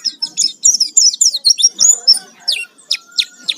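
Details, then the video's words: Oriental white-eye, or pleci, singing a lure song to trigger other birds: quick jumbled high twitters give way to separate sharp downslurred chirps repeated roughly every quarter second. "Pancingan suara pleci gacor full isian"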